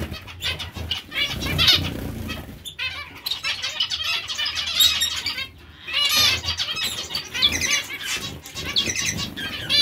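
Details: Zebra finches in a lively group chorus of rapid nasal beeps and chirps, with flapping wings and a short quiet gap before the calling picks up again.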